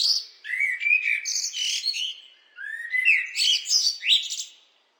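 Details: Blackbird singing two phrases separated by a brief pause, each opening with low, mellow fluted notes and ending in high, squeaky twittering flourishes; the surroundings are quiet, with no other sounds.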